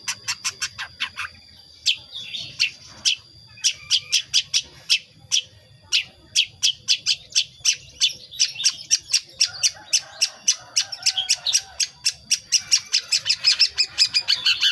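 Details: Young captive long-tailed shrike, about five months old, still learning to sing with its natural, untrained voice. Rapid, sharp chipping notes build into a fast, varied chatter.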